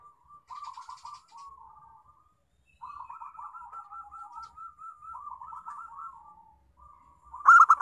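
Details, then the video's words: Local zebra dove lure song aimed at making other doves sing: long sequences of quick warbled, stuttering coos at a steady pitch, ending in a loud bright burst. "Pancingan Perkutut Lokal"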